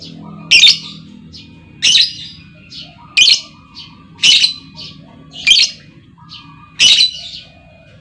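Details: A calling female lovebird, used to provoke long trills from other lovebirds. Sharp, raspy squawks repeat at fairly even intervals of just over a second, six or seven in a row, with faint high twitters between.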